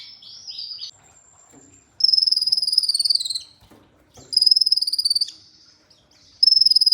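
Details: Olive-backed sunbird, used as training audio to prompt singing: a few buzzy slurred notes, then long rapid, very high rattling trills in repeated bursts of one to two seconds with short silent gaps.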